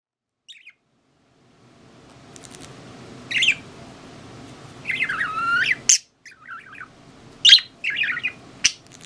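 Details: An elderly pet budgerigar with weakened legs gives scratchy, warbling chirps in short bursts, some sliding up and down in pitch, over a faint low indoor hum.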